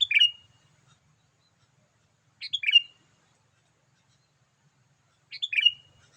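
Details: Sooty-headed bulbul lure call for wild birds: three clean, bubbly whistled phrases, each a rapid pair of notes ending in a falling slur, spaced roughly three seconds apart in near silence.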